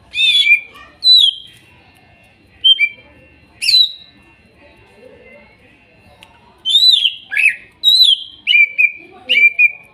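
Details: Greater green leafbird song used as therapy for a bird that has stopped singing, wild-sourced material from Kuningan: loud whistled and buzzy phrases, sharp descending slurs and rising-falling notes in bursts, with faint background sounds.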